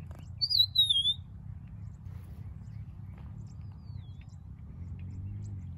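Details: A Rufous-naped Lark singing, with short wing flapping at the end: one clear, slurred whistle that wavers and falls, then a faint thin whistle a few seconds later, over a steady low rumble.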